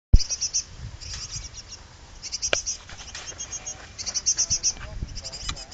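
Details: Hungry young great tits in a pollard willow, about to fledge: very high, thin begging calls in quick bursts of three to five notes, repeated over low rumbling noise, with a sharp click at the start.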